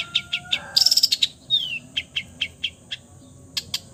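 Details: Long-tailed shrike imitating other birds' voices: a short buzzy rattle of rapid notes, a downward-sliding whistle, then spaced high chips and ticks over a faint steady low tone.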